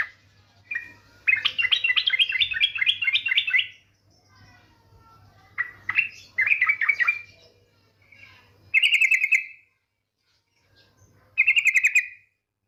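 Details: Yellow-vented bulbul lure recording: a rapid, bubbly chattering run, then separate harsh buzzy 'ngetir' notes of the female calling to make bulbuls sing.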